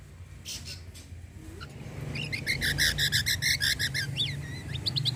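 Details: Cucak kombo in full burst song, meant to get other birds singing: after a noisy start, a fast regular string of bright chirps, roughly three per second, then a few rising slurred notes over steady low hum.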